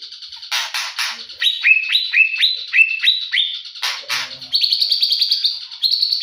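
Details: Morning singing by a white-rumped shama: harsh noisy bursts, then a run of repeated two-part whistled notes and a fast high trill.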